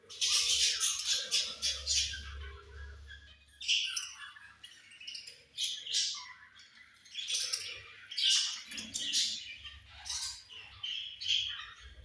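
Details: Budgies chirping at feeding time make a busy, continuous chatter of harsh squawks, rasping notes and quick tweets that overlap without pause. A faint low hum sits in the background.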